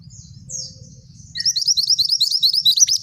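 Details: Male scarlet minivet singing actively, song described as the rolling, shooting type used to tutor songbirds: a few thin, high slurred notes, then a quick run of sharp, very high chirps from mid-clip, over a soft low rumble.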